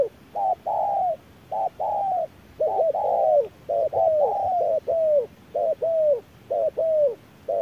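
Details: Spotted dove fighting a decoy at midday, calling in rapid paired hoots, the first short and the second drawn and falling, coming in quick succession over a quiet background.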